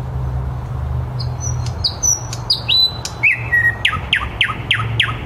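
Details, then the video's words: Thrush nightingale song at 21:30 in Käpylä, Helsinki: long high whistles slide downward, then fast repeated downward strokes follow. A low city rumble runs beneath. "Käpylän satakieli"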